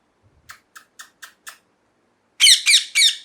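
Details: Indoors, a parrot makes five soft, short clicking chirps in an even series, pauses, then lets out three loud, rough, scratchy squawks in quick succession.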